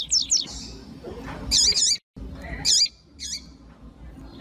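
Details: Female coleiro tui tui (double-collared seedeater) calling to stimulate a male: paired high, buzzy chirps, then two more single high notes with a dip below them, over steady low background noise.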